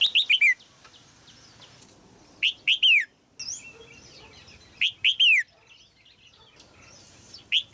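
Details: Red-whiskered bulbul female, caged, singing to stimulate an adult male. Loud phrases of three to four downslurred whistles repeat about every two and a half seconds, with a short upslurred note and soft chirps between.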